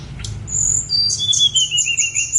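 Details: Snowy-browed flycatcher singing on Gunung Songgo Langit: a thin, high whistled phrase of drawn-out notes that step downward, then a run of short, quick high notes, over faint low background rumble.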